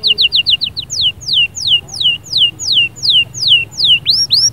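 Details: Canary singing energetically to motivate a quiet canary: a few quick high notes give way to evenly spaced downward-swooping whistles about two per second, closing with rising upswept notes.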